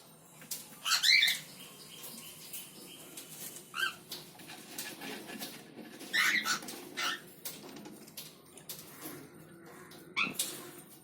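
A cockatiel gives short, scratchy chirps every few seconds among clicks and rustling.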